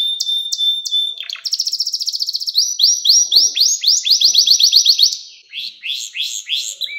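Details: Canary singing a training song for young canaries, a long run of varied phrases: a steady whistled note, then rapid trills and repeated rising upsweeping syllables at several pitches, with a faint low sound briefly in the background.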